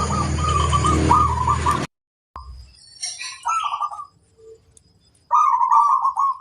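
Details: Wild female zebra dove, described as flirtatious, opens with a trilled coo over a loud rushing noise burst. After a silent gap come scattered short notes, then a clear rolling trilled coo at the end.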